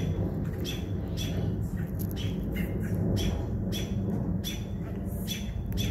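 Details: Several angry American robins harass a perched owl, giving short, sharp notes in quick, uneven bursts against a loud, constant low background roar.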